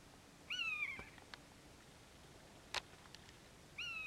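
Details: Two mewing calls from a common buzzard about three seconds apart, each a drawn-out whistle falling slightly in pitch. A sharp click and faint taps sound between them.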